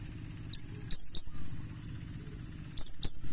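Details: Mountain white-eye of the Buxtoni type in wild 'ngalas' style, used as a lure to make other white-eyes sing: high, thin, sharply falling chirps in two short bursts, over a steady low hum.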